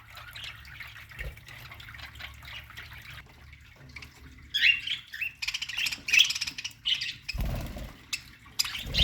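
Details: Budgerigars in an aviary colony singing: a low murmur at first, then louder squawky chirps and buzzy chatter in bursts, with a low thump near the end.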